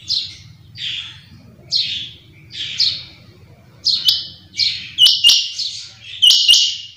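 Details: Morning calls of a quail: a steady run of short, high, rasping notes repeated roughly every 0.7 seconds, growing louder and more doubled toward the end, with a few sharp clicks and faint low hum behind.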